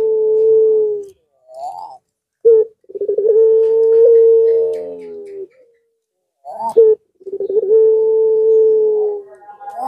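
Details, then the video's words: Barbary dove of the pelung style cooing as a lure for doves that rarely call: long, steady, drawn-out coos broken by short rising notes, repeated about every four seconds. "Pancingan Suara PuterPaling Heboh Sejagat Raya"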